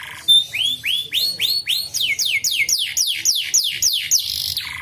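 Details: Lure song of a canary, meant to trigger young birds into singing: a quick run of upward-curving whistled notes turning into rapid downward-sliding sweeps, evenly repeated several times a second, closing with a buzzy burst.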